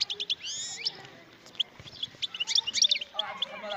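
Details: A wild European goldfinch sings rapid high chips, then sweeping rising slurred notes, followed by a bubbling, irregular twitter of piercing notes that grows busier near the end.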